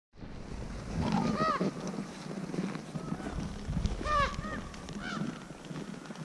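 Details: Common ravens giving food-associated 'haa' calls to recruit other ravens to a foraging site, at a boar's meal; three loud, hoarse, arched calls with rich harmonics at about one-second, four-second and five-second marks over steady wind and rustling.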